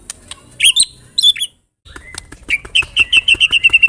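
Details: White-rumped shama pancingan lure song: a few bright, ringing double notes, a moment of silence, then a fast, steady series of clear, repeated whistled chips.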